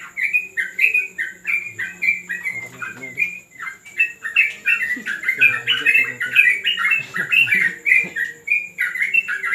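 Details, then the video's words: Yellow-vented bulbul at a training session on a terrace: a dense run of bubbly, warbled chirps, each note sliding up and down, poured out almost without pause, with faint human voices and a steady high hiss behind. "ngetrek burung trucuk diTERAS BIRU"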